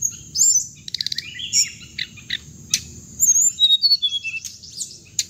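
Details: Hồng hạnh bird sound for trap playback: a high whistle, a fast ticking trill, scattered sharp chirps, then a quick run of short notes and falling whistles over steady hiss.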